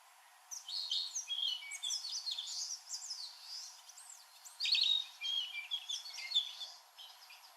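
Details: Male narcissus flycatcher singing in fresh spring-green woodland at a nature learning forest in Nemuro, Hokkaido, Japan; light flute-like phrases among a busy chorus of other summer birds, including eastern crowned warbler, black-faced bunting and Japanese bush warbler.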